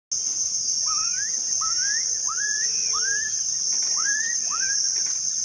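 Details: A Black-capped Donacobius at REGUA Wetland Reserve on 5/3/16 gives six loud, rising whistled notes, roughly one every 0.7 seconds, over a constant high insect drone.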